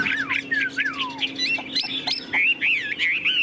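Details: Chinese hwamei kept as a tame cage bird, singing long descending slurred whistles followed by quick, twisting warbled notes and a wavering whistled phrase.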